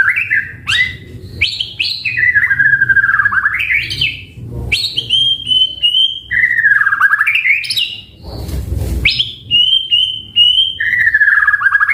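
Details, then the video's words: White-rumped shama, a caged bird, pouring out varied song: sharp upward whips, descending slurred whistles and level fluty phrases in separate bursts, with a short rustling noise near the middle. "Masteran Suara Burung Murai Gacor Full Isian"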